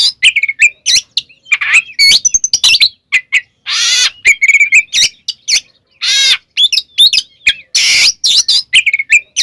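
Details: White-rumped shama in full song, meant to spur other shamas into singing: varied whistled phrases, sharp clicks and repeated harsh buzzing bursts, delivered rapidly over several seconds.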